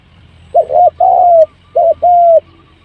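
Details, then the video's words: Spotted dove call used as a lure to draw birds in quickly; low hollow coos, two pairs of notes, each a short note followed by a longer smooth sustained one, over a faint low hum. "เสียงนกเขาใหญ่ ต่อเข้าเร็ว"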